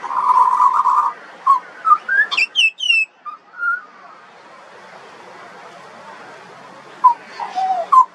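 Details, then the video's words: Pied butcherbird juvenile opens with a quavering warbled phrase, then high sliding notes and soft whistles, a long quiet pause, and a few falling notes at the close. "Butcherbird. Bird Singing. Bird Call and Sounds"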